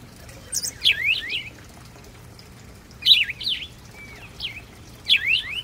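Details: Three separate bursts of house sparrow chirps, each a quick run of high, twisting, down-swept notes, with quiet pauses of about two seconds between them.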